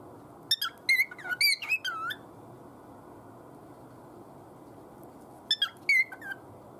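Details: Pet cockatiel indoors muttering while offered garland chrysanthemum, which it tore up and dropped rather than ate: two bursts of short, squeaky, harmonic chirps and slurred whistles, rising and falling, separated by about three seconds of quiet room tone.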